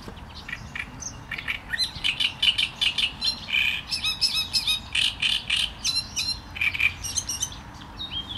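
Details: Sustained Great reed warbler song, a long stream of grating, croaky notes repeated in quick bursts, several syllables doubled or tripled before the pattern shifts.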